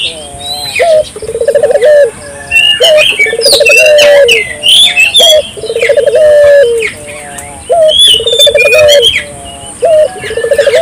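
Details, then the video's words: Spotted dove lure calling, meant to set local doves calling too: repeated phrases of a brief upslurred note, a rapid vibrating trill and a sustained closing coo, over a dense chorus of high chirps and whistles from other birds. "suara burung puter gacor,merangsang burung puter lokal ikut gacor"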